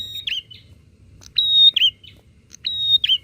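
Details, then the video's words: Bar-winged prinia calling back and forth to provoke other prinias, three quick phrases: a flat shrill whistle sliding into a twisted lower note, followed by a short trailing chip. "Suara prenjak gacor saut sautan bikin prenjak apa saja cepat emosi"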